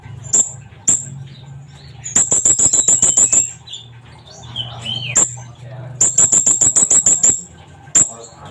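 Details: Sunbird giving very high, thin notes, some single and others in fast rattling bursts of about eight notes, the bursts repeated after pauses.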